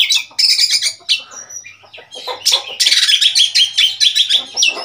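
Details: Oriental magpie-robin, a wild bird that has come to a cage in Thailand, singing a rich, varied run of sweet whistles, chirps and quick trills. Loud, busy phrases come in bursts with short pauses between them.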